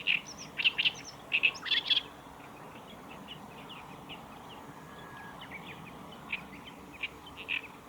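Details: Black-browed reed warbler singing at the Kita-Fuji training area, 15 July 2019: a short burst of sharp, dry chattering notes, then quieter scattered chips over steady background hiss.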